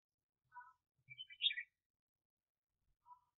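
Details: Trapping-decoy red-whiskered bulbul, 2021: a soft lower whistled note, then a short burst of bright rising and falling chirps, and another soft whistle near the end.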